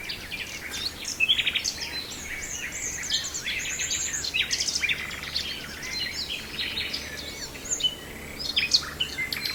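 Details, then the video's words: Nightingale song recorded in Brijeste: busy, high-pitched phrases mixing sharp chirps, short whistles and fast trilled notes, continuing without pause through the recording, steadier loud notes near the start and end, faint background hiss. "Nightingale in Brijeste"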